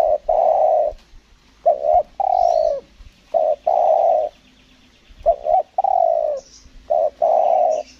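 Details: Cooing spotted dove being lured on Lombok, repeating a pattern of a brief stuttering note then a long steady coo, roughly every one and a half seconds, with a faint high whistle and a low hum behind.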